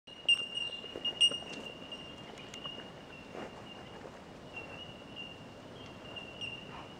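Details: Bell Miners (bellbirds) at Katoomba give a steady, high, bell-like ringing, with a few sharper metallic pings early on, over soft background rustle and faint outdoor noise.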